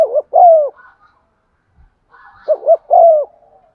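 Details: Lure spotted dove with a 'giọng son' voice cooing to stir other doves: two phrases, each two short hooked coos followed by a longer sliding note, separated by a soft pause with faint murmuring.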